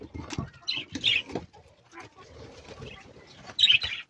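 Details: Budgerigars in a small aviary give short, high chirps and warbles over soft rustling and fluttering.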